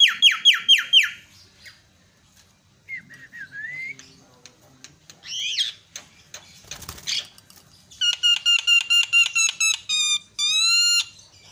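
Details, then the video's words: Myna lure sounds to get a silent bird chattering: quick sharp down-slurred squeaks, a bent whistle, scratchy and rasping noises, then fast stuttering runs of ringing harmonic notes. "sekali pencet langsung cerewet terapi jalak macet"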